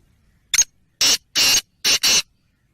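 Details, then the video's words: A Black francolin calls with five harsh, scratchy notes, one short note, two longer buzzing bursts and a tight final pair, all over near silence. "Kala Teetar ki Awaz/ Black Frankolin Voice/ کالا تیتر کی آواز"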